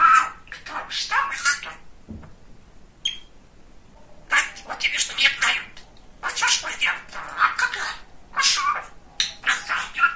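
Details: Chatty male budgerigar kept as a pet, talking in a small room: dense scratchy babble in bursts of one to two seconds, broken by quiet gaps and a single clear whistled note midway.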